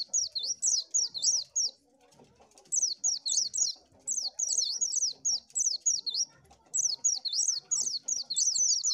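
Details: Lure song of an Oriental white-eye: rhythmic series of high looping, up-and-down whistled notes delivered in runs of several seconds, broken by one longer pause, faint background hum.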